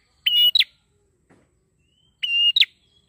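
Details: Prinia singing briskly, used as a lure for training birds: two phrases, each a steady ringing whistle held a quarter second, then a quick, higher, falling double note, about two seconds apart over silence.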